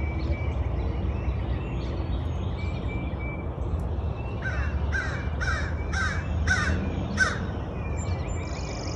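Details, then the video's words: Bird giving a run of about six harsh, hoarse caws in quick succession midway through, with faint thin chirps from other birds and a steady low rumble of background noise throughout. "Birds Chirping Sound"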